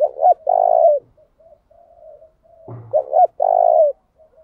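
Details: Spotted dove luring and provoking rivals to sing: a clipped double note and long low coo, then a quiet murmuring stretch, a brief thump, and the same phrase again about three seconds later.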